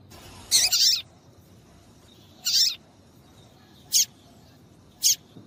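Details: Female yellow-bellied seedeater call for provoking male song; two longer buzzy high notes followed by two short crisp chirps, spaced about one to one and a half seconds apart.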